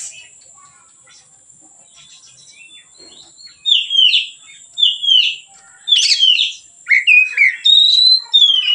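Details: Relaxed white-rumped shama song, a training lure for other birds: after a quiet start, a series of short upswept whistled phrases comes roughly every half second, closing with a long falling whistle.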